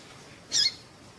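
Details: A female Double-collared seedeater gives a call meant to stimulate a male to sing: a single brief, high squeaky chip with a slightly falling note, in a quiet setting.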